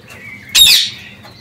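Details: Parakeets free in an aviary: a short whistled note leads into a single loud, raspy squawk lasting about a quarter second, then a faint high whistle.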